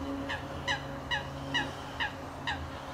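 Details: Redshank calling at the RSPB Rye Meads wetland reserve in the UK, April 2013: clipped, nasal notes repeated steadily about every two-fifths of a second, evenly spaced, over a quiet low hum.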